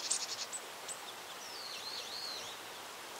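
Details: Japanese tit (Parus minor) feeding in a reed bed, giving a quick run of thin, high ticking notes, then a soft, wavering twitter, against a steady background hiss.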